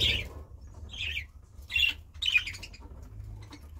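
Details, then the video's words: Budgerigar giving four short, bright chirps spaced about half a second to a second apart, each a quick squeaky burst, over a quiet low hum. "Budgie Sounds"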